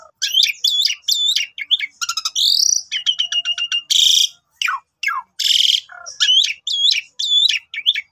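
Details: Asian pied starling song used as a long morning lure to prompt other starlings to sing: a loud, restless medley of looping whistled phrases, harsh buzzy bursts and rapid clicking notes, the whistled phrase returning at the end.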